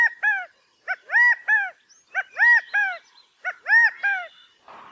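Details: California quail mating calls in quick bursts: ringing, arched notes grouped in threes, chi-ca-go style, repeated about four times in five seconds over a quiet background.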